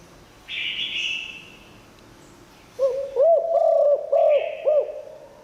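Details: A spotted dove in the 'liu tan' song style, said to attract wild doves, starts after a soft hiss. It sings a deep purring coo of four to five looping notes over about two seconds.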